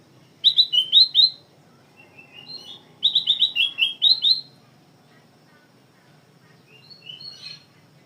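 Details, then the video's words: Black-crested bulbul in full song with magpie-robin phrases included: two fast runs of bright, bouncing whistles about two seconds apart, then a few quieter chirps over a low steady hum. "Kutilang emas gacor isian kacer"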